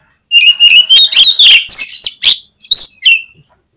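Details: Oriental magpie-robin (kacer) singing persistently: a loud whistled phrase climbing steadily in pitch, broken by rapid buzzy notes and sharp upward slurs, ending in clear chirped whistles before falling silent.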